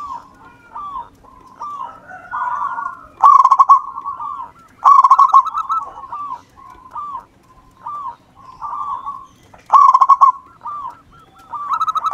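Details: Zebra dove of local wild stock singing persistently: runs of short, down-curving coos punctuated by four loud, rapid, pulsed trills.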